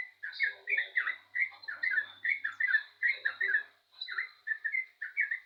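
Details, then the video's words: Yellow-vented bulbul delivering spirited song: short clusters of warm, bubbly, slurred notes in quick succession, roughly two clusters a second, one brief gap, over a faint steady high whine. "burung trucukan gacor jos"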